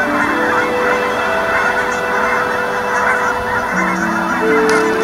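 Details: Canada geese on winter migration in Colorado, a flock's honks merging into a dense, continuous chatter, with steady held musical tones sounding underneath.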